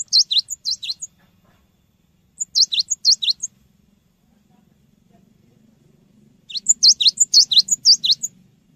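Cinereous tit song: three bursts of five to seven sharp, high, down-slurred whistled notes in quick succession, separated by short pauses. No other clear sounds.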